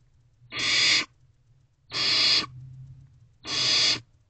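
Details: Nest-box barn owl owlets, spring night of 21 May 2023, siblings looking on as one handles prey; three evenly spaced harsh shrieking hisses about 1.5 seconds apart, a soft low drone continuing between them.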